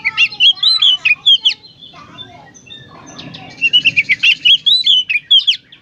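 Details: Energetic Oriental magpie-robin, presented as therapy to prompt magpie-robins to sing, pouring out fast varied whistles and chattering notes in two dense bursts with a short quieter pause between them.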